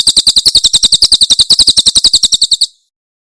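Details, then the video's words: Tembakan song of a Javan prinia from Cililin, used for tutoring pet birds: rapid, piercing chip notes repeated steadily about three to four times a second, stopping abruptly before the end into silence. "Masteran Tembakan Cililin SUARA SUPER JERNIH"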